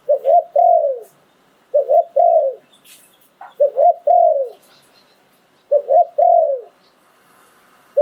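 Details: Thai decoy spotted dove, 'sai phon liw tan' style, repeating its phrase four times, roughly every one and a half to two seconds: twin short coos then a drawn, descending croo. A few faint clicks in between.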